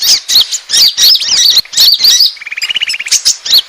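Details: Asian glossy starling lure call meant to attract birds: loud shrill twisting chirps for two seconds, then a softer fast rattling trill of even pulses, ending with a few high notes.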